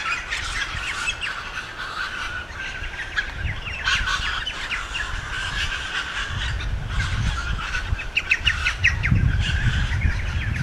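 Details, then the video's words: Many excited honeyeaters chatter at once in the You Yangs, Australia, drawn to trees flowering en masse: a dense mix of sharp chirps and squawky notes repeating rapidly, over a low rumble of wind. "All the Honeyeaters are excited"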